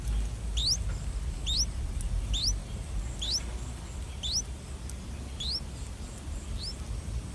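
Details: Nest of streak-eared bulbul chicks, three days old, in a water jasmine tree in front of a house, with parents bringing food. High, thin squeaks rising steeply in pitch, about one per second, often doubled, against a low rumbling background.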